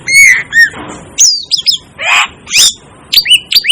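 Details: Asian glossy starling calling: a rapid series of sharp, high chirps and squeaky whistles, some rising and some falling, with a harsher buzzy squawk in the middle, notes packed closely over a few seconds.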